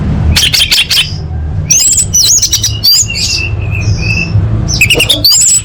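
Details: Orange-headed thrush, full-variation competition training song: loud rattling bursts, bright twisting whistles and a steady high whistled note, with another burst at the end over a low hum.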